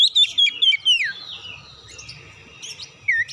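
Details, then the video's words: Oriental magpie-robin singing as a lure for other magpie-robins. A few strong whistled notes end in a downward slur, then a long quiet stretch with faint murmuring, and a final short whistle. "PANCINGAN KACER BUKA PARUH GACOR NGEPLONG BONGKAR ISIAN"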